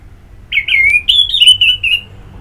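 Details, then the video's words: Single drawn-out orange-headed thrush phrase from ngeplong therapy audio to stimulate singing: a loud, continuous slurred whistle about one and a half seconds long, wavering and gently rising before tapering off. "Pagi Siang Sore Terapi Ngeplong Untuk ANIS MERAH Malam ya Tidur Merangsang untuk Bunyi"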